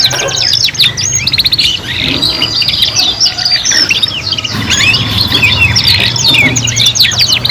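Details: Canary youngsters singing together while learning: fast chattering twitters and repeated clipped notes mixed with sweeping whistles, several birds overlapping continuously above a low background drone.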